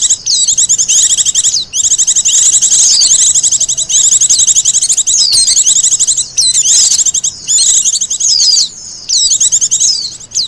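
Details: Long, nearly continuous bursts of thin, shrill twittering from a wild Japanese white-eye, mixing rapid trills with slurred downward notes and a few short gaps. The recording is meant for bird luring and master song.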